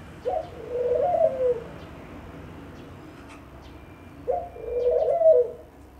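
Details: Two mellow dove coos about four seconds apart, each opening with a sharp onset and swelling into a throaty, wavering hoot lasting over a second, in a quiet setting.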